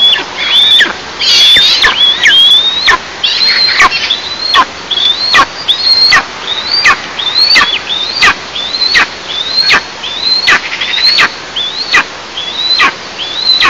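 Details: Eastern imperial eagles at their nest, recorded by a nest camera in an oil and gas producing area, 11 July 2024, 09:14. High whistled notes that slide sharply down, repeated rapidly about every 0.8 seconds, with clicks throughout.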